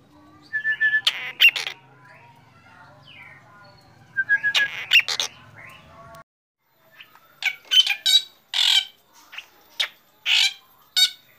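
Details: Morning song from a black drongo, clusters of scratchy chattering notes and whistles, followed after a brief gap by loud separated harsh nasal calls.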